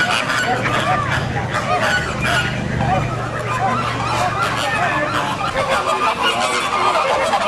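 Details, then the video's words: Many pink flamingos calling together in San Diego, short nasal honks tumbling over one another without pause, backed by a faint low hum and distant voices. "Розовый фламинго (Pink Flamingos), стая птиц"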